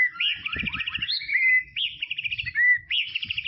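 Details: Tropical-forest white-rumped shama singing rapid warbled phrases: rolling trilled whistles that rise then level off, repeated about three times, with faint low knocking underneath.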